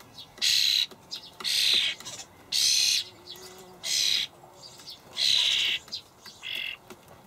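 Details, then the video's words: Young common starlings being fed dried buffalo worms by their parents, Hamburg allotment, May 2012; a steady series of six harsh, rasping screeches roughly one per second, each with a strained, buzzy quality. "junge Stare (Sturnus vulgaris)"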